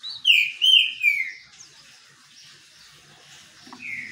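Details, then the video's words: Green-winged saltator in the sun, opening with three loud, full whistled notes dropping in pitch, then quiet before one softer whistle. "trinca ferro cobra no banho de sol"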